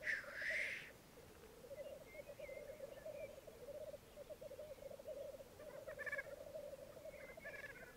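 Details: At a May 2022 morning lek on a Mykland bog, twelve black grouse males and two females: one loud hissing sneeze at the start, then continuous bubbling with faint hiss bursts near six and seven and a half seconds.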